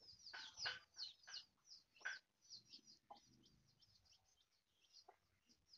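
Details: Hen foraging with her brood: several louder broad clucking calls early, then softer clucks mixed with a steady scatter of thin, high chick peeps.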